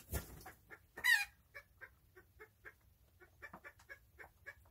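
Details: Chooks (domestic chickens) going about their day: a bright harsh squawk near the start, then a steady series of soft, short clucks, several each second, continuing to the end.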